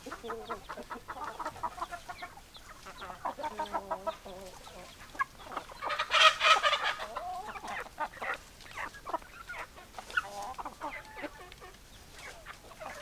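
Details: Flock of hens clucking steadily, rapid overlapping clucks about four per second, with one louder, harsher squawking outburst in the middle before the chatter settles back down.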